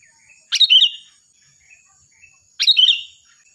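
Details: Sooty-headed bulbul in loud, shrill, lively song for tutoring other birds: two bright, chattering phrases spaced two seconds apart, each a rapid cascade of notes, with soft faint chirps in the gap and a continuous thin tone.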